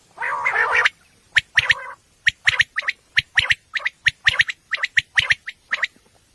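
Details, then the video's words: Night calling of a common quail, recorded for hunting: a harsh rasping burst opens, then a regular run of sharp high notes in groups of two or three, about one group per second. "Batair ki awaz night batair sounds for hunting بیٹر کی آواز"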